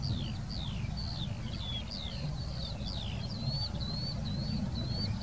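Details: A Eurasian skylark in the Wittlicher Senke, Germany, pours out a fast, unbroken stream of high, slurred chirps and trills, over a steady low rumble of wind or distant traffic.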